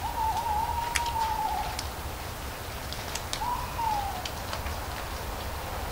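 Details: Owl hooting among falling leaves: two long, steady, whistled hoots about two seconds apart, each sliding slightly down at the end, over soft rustling and faint ticking of leaves.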